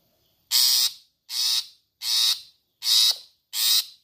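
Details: Long-tailed shrike giving five loud, harsh, buzzy rasping notes, each about a third of a second, spaced roughly every three quarters of a second, against a silent background.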